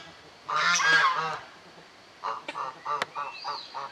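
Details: African goose family calling: one long, loud, rasping honk, then a rapid series of shorter clipped honks and a few faint chirps from other birds.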